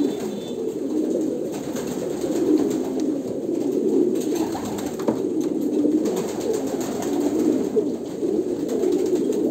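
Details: Kolkata pigeons cooing in a group, a thick low murmur pulsing every couple of seconds, with occasional clicks and a short thud.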